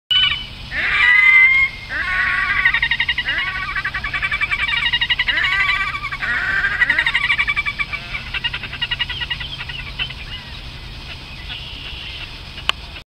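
Red-necked grebes give loud, overlapping wailing and squealing calls broken by rapid chattering trills, with a faint low hum underneath.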